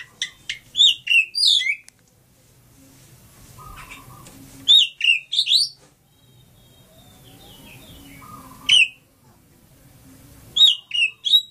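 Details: Oriental magpie-robin from Lampung: bursts of sharp, high chirping and whistled notes in quick clusters, separated by pauses of about two to three seconds, with faint low background noise.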